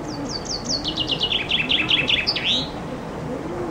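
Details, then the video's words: Common chaffinch singing loudly in summer under a window, recorded from a loggia with a compact Canon IXUS 220 HS camera: a quick run of high descending notes speeding into a trill and ending in a sharp flourish, with faint low cooing behind. "Зяблик поёт под моим окном"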